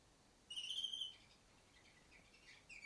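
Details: Female canary on top of a distant cage, singing: a loud, clear whistled note held for about half a second, fading chirps after it, then a second bright whistle starting at the end.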